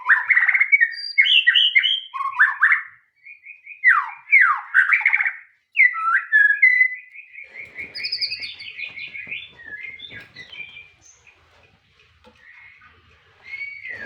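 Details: Long bout of white-rumped shama song: loud, melodious whistles and slurred swoops in quick succession, a pause, then a run of evenly repeated notes fading into soft, scattered high phrases.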